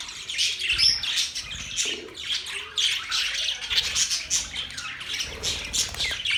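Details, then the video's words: Birds chirping on October 3, 2023: a dense, continuous chorus of high, overlapping chirps and short squawky notes from several birds at once, with no pauses over six and a half seconds. "Birds chirping sounds"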